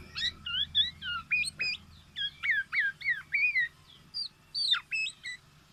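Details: Black-naped oriole giving its distinctive calls: a fast run of short whistled notes, some rising and some hooked, repeated in quick bursts, over a steady low hum.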